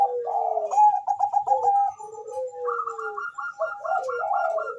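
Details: Bangkok zebra dove, a vigorous singer used to stimulate mating drive and song, gives continuous trilled coos and falling slurs, joined by a quick run of higher repeated notes near the end.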